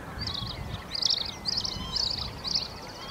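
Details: Bluethroat of the subspecies cyanecula, recorded in April 2017 at the Uitkerkse Polder, Belgium: five short, bright, ringing trills repeated about every half second, over a low rumble of distant wind or traffic.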